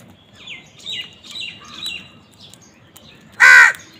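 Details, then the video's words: Crows fighting over food: a run of softer, falling calls repeated about every half second, then one loud, harsh, hoarse caw near the end over a faint background hum. "Crow fight for food Crow Sound part 103 কাকের ডাক"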